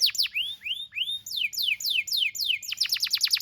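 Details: Canary tutor song for young birds learning to sing: steep falling notes, slow arched whistles, then a quickening series of sharp downward-sweeping notes.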